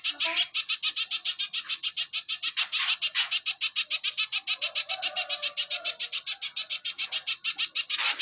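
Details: Little spiderhunter song made for tutoring caged birds: fast, evenly spaced high chips, around three and a half per second, running without pause through the whole stretch.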